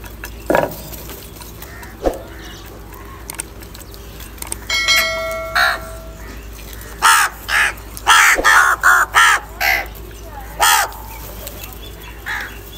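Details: Crows calling live, said to be fighting, angry and asking for food: scattered quiet sounds and a brief ringing tone first, then a rapid cluster of loud harsh caws in the second half.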